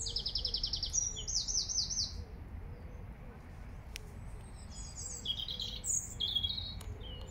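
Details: Eurasian robin singing in Regent's Park, London: short, very high phrases of fast trills and wavering warbles, separated by pauses, each phrase different. A soft, low repeated hum or coo runs underneath.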